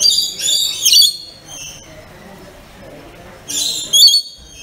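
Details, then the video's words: Pet rainbow lorikeet calling loudly: high, harsh, strongly harmonic screeches in two clustered bursts about three seconds apart, with soft murmuring in the pause. "Rainbow Lorikeet Making Calls"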